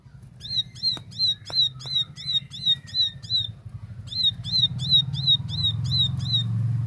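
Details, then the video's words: Plain prinia giving a clear series of sharp, high, clipped notes repeated about three times a second, pausing briefly midway, over a low rumbling background noise. "Tembakan Gacor Jernih Ciblek sawah"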